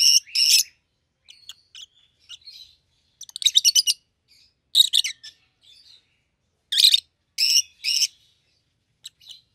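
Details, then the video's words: Two rosy-faced lovebirds, a yellow one and a green one, both red to the crown: bursts of shrill, buzzy shrieks in pairs and triplets, interspersed with faint twitters and silent stretches. "Lovebird's Sounds - Lemon & Melon - Rosy-faced Lovebird"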